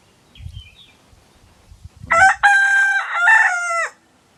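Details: A 2-year-old free-ranging Silkie rooster crowing in the morning gives one loud, harsh cock-a-doodle-doo in three drawn-out parts, ending on a long held note, after a few soft low thumps.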